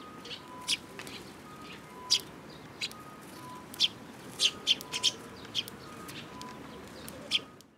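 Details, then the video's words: Sparrows at a Tenmangu shrine on 5 June 2022, with a mimicking bird: single sharp high chirps scattered one to two seconds apart, some in quick pairs, over a faint steady tone and background hiss. "可愛いすずめ達 今日の真似っ子君の様子"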